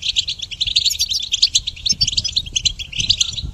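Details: Goldfinch singing for songbird training, a rapid jumble of bright tinkling notes and twitters pouring out without a break, with some sharper squeaky accents mixed in.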